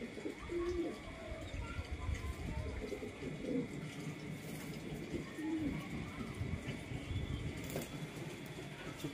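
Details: Pigeons cooing: low soft rolling coos repeating every few seconds over steady background hum and noise.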